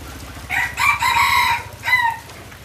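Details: Yellow hybrid red junglefowl, kept captive, gives a full crow: a short opening note, a longer harsh drawn-out middle phrase, then a clipped falling final syllable, over a steady low mechanical throbbing hum.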